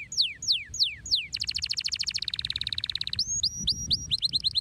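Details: Shrill canary song with a few loud, steeply falling whistles. These lead into a long, rapid rattling trill that drops slightly in pitch, followed by clear rising notes repeated quickly.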